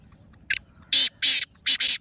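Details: Black francolin call from 28 February 2026: one short scratchy note, then a rhythmic series of four harsh, grating bursts, loud and close, over a quiet background.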